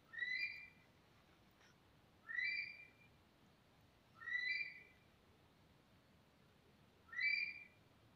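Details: Four ringing whistled monal calls, each a short rising, slurred note with bright upper tones. The calls are spaced a few seconds apart with near silence between them.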